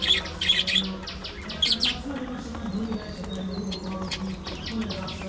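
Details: Budgerigars in a cage setup give rapid bursts of high, sharp chirps and twitters in clusters, over a steady low wavering hum and faint background murmur.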